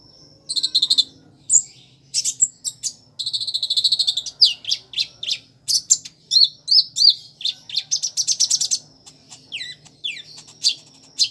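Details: Van Hasselt's sunbird in full energetic song with mimicked notes of bar-winged prinia, sparrow and chicks: a dense run of very high, sharp chirps and rapid buzzy trills with brief pauses between bursts.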